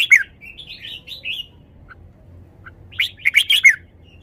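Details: Red-whiskered bulbul kept in a cage, displaying its song phrases: a sharp note, a short run of soft whistled slurs, two faint clicks, then a final burst of rich, warbling notes.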